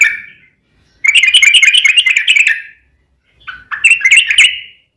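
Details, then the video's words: Yellow-vented bulbul in a long rapid song meant to provoke other bulbuls into answering: a dense burst of chattering, gurgling notes, a pause, then a shorter bright bubbling phrase. "trucukan gacor ROPEL PANJANG buat pancingan trucukan agar bunyi"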